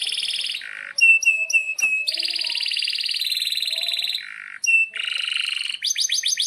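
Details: Canary's varied 'gacor' song, meant for training young birds: clear whistled notes, short repeated chips, long buzzy trills, low harsh phrases and a final run of rapid rising sweeps, all high-pitched and continuous.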